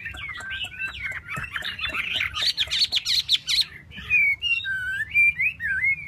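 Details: Tail-fanning Chinese hwamei delivering a dense, jumbled torrent of whistled notes that gives way to clearer, separate, swooping whistles.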